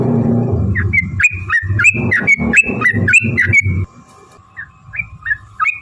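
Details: Yellow-vented bulbul in a long fighting song used to provoke other birds into singing: a fast run of short, bubbly whistled notes repeated about three to four per second, over heavy low thumping that stops partway, then a few sparse notes.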